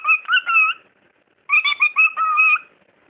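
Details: Indoor talking bird gives two short speech-like phrases, each a string of rising and falling whistled, tonal syllables, the second longer, with a quiet pause between them.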